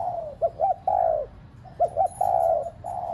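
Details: Spotted dove decoy bird, cooing to stir caged doves to coo: two quick clipped notes, then a long, falling, hoarse coo, repeated twice over a faint low hum.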